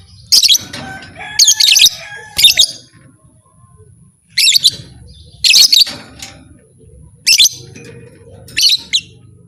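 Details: A lovebird gives shrill, grating chirps, a call claimed to make other lovebirds fight. Clusters of two or three sharp bursts repeat with short pauses over a low background murmur.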